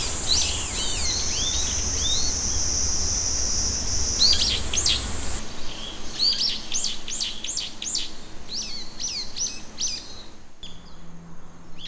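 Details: Small birds singing in the early morning in a Musashino forest at Jindai Botanical Garden, Chōfu, Japan, summer 2020; high, thin chirps repeating in quick bursts with a steady insect-like hiss early on.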